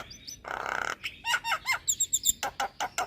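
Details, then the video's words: Javan myna song used to lure and train moulting mynas: a harsh buzzy rasp, then a run of arched whistled notes and bright high squeaks in quick succession. "Kicauan Jalak Kebo Full Manggut2 Buat Pancingan Dan Terapi Jalak Mabung"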